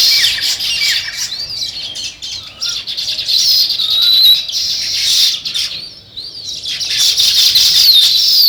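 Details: Natural sparrow chirping, a steady flock chatter of high twitters with occasional short rising and falling whistled notes, dipping briefly before swelling again.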